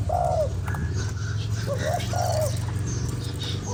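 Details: ['Spotted dove cooing to rouse a lure bird, the tail of a long falling coo followed by a short note and another drawn-out coo, over a loud low hum.']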